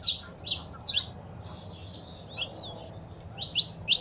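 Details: Saffron finch female calling and male singing, played to a pet bird to encourage song; a few loud sharp chirps, quieter soft whistled slides in the middle, then spaced chirps about twice per second.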